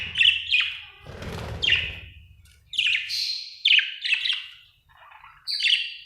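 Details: Happy pet budgerigar chirping: a lively run of quick, bright, warbling chirps and squeaky twitters in short bursts, with a brief rustling noise near the start.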